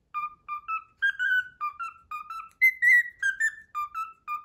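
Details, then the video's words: Whistled Pythagora Switch melody from a pet cockatiel: crisp, evenly spaced whistled notes rising to a higher held pair, then falling back to the lower opening notes. "ピタゴラスイッチが止まらないミロ｜The Pythagorean switch never stops, Milo."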